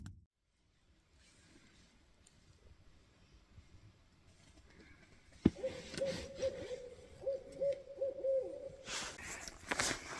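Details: A Barred Owl near a winter camp, just before 7 a.m. after an extremely cold, windy night, gives a quick run of about seven mellow, mid-pitched hoots over three seconds, after a sharp knock and before a burst of rustling noise.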